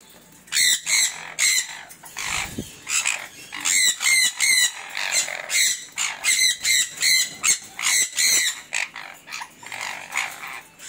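A sun conure gives loud, harsh, shrill screeches repeated in rapid bursts.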